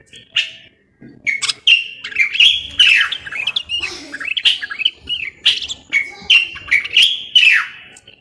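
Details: Common bulbul from Morocco, garden songster: loud fluty whistled phrases, some sliding down in pitch, delivered in separate bursts about every second, with quiet gaps between.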